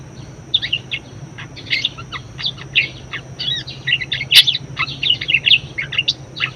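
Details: Budgerigar song offered as a master recording for teaching other birds; rapid chirps and warbled twitters in quick irregular bursts, a loud sharp tick partway through, steady low hum underneath.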